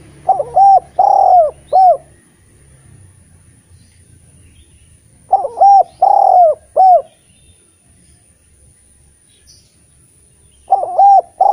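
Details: Repeated cooing of a Eurasian collared dove kept to coax quiet spotted doves into singing. Three similar phrases, each with short, short and long notes plus a closing coo, come about every five seconds with quiet pauses between.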